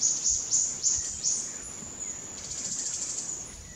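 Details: Silvery-breasted tanager at Murici Ecological Station, Brazil: a quick series of thin, very high chips in the first second and a half, then softer, with a steady high insect drone throughout.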